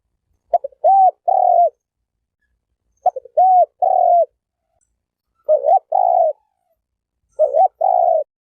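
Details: Turtle dove cooing: four phrases, each a quick soft double note then two smooth, steady, mid-pitched hooting coos, spaced roughly two seconds apart in a quiet setting.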